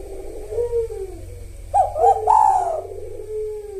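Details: Spotted dove singing in the lively kuk satu style with the sahur rhythm: soft low cooing, then a louder burst of two or three sharper, rising coo notes around the middle, fading into a drawn-out low coo.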